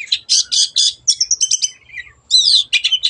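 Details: Long-tailed shrike in energetic song, used as a lure to get silent birds singing: bursts of high, harsh chattering notes in quick groups, then a short pause and more scratchy, buzzy phrases.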